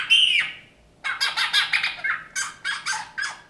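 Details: Eurasian bullfinch kept after being rescued from a snowdrift in January 2019 performs a 'folk song': a loud squeaky opening note, a pause, then rapid creaking, rasping chatter broken into short repeated bursts.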